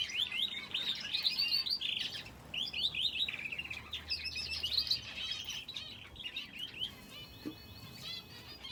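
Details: Aviary finches kept with a canary call in lively bursts of high, sharp chirps and quick trilled phrases, the chorus easing slightly toward the end.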